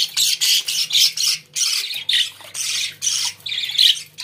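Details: Indoor budgerigars chattering steadily: dense, harsh, buzzy squawks in rapid bursts about every half second, filling the whole stretch, over a low constant hum.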